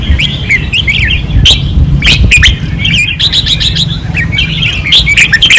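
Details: Red-whiskered bulbuls caged on a training perch, Pattani, 2024, singing fiercely: dense, continuous overlapping whistled and chirped phrases with sharp clicks, over low background noise.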